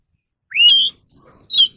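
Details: Oriental magpie-robin singing, as used to train captive birds' voices: a rising whistled slur, then a clear level high whistle and a short bright note.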